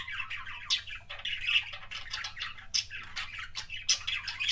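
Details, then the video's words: Budgerigar, a pet, producing kissing sounds: loud, close, squawky chatter in quick bursts with short gaps and shrill squeaks, a low hum behind. "BUDGIE KISSING SOUNDS"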